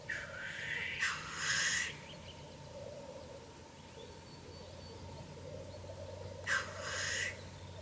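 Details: Black grouse at a display ground watched from a hide in the evening, birds arriving around 9 pm; two harsh, broad hissing bursts about five seconds apart, with a faint low murmur between them over steady background hum.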